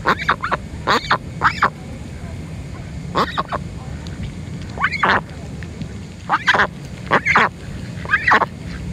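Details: Female Pekin duck squeaking to beg for food: short high squeaky calls in pairs and small bursts, arching up and down, spaced by pauses of about a second or more, with constant low background rumble.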